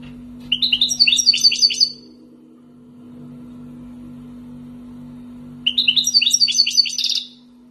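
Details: Wild-caught European goldfinch from Algeria, kept for two years, singing phrases rendered as 'tibatbati' and 'sbat sbati': two bursts of rapid, high, tinkling twittered notes, each about one and a half seconds long, separated by a quiet pause, over a steady low electrical hum.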